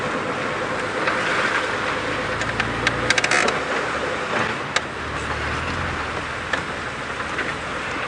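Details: Constant vehicle engine drone during an evening safari drive, with a few faint clicks and no distinct animal call.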